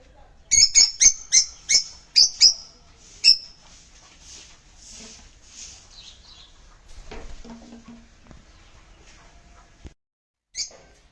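A sun conure gives a rapid burst of shrill, harsh screeches, then the room falls quiet.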